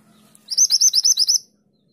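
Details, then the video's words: Single rapid string of about eight high, rising 'tulit' whistles from a mantenan gunung in full song, meant as a master recording for training songbirds, lasting roughly one second in a quiet setting. "Mantenan gunung gacor nembak tulit tulit untuk masteran burung kesayangan anda"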